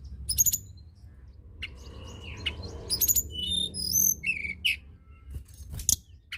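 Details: Energetic song of the tledekan gunung, or blood-breasted flowerpecker, meant to trigger singing in lazy birds: dense very high tsip notes and sharp ticks mixed with short pure whistles and a buzzy trill, over a steady low noise.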